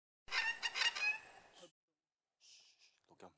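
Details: A black currawong in Tasmania, filmed as it regurgitated a pellet, gives a loud, harsh, ringing call of rapid rasping notes lasting over a second, followed by fainter squeaky calls.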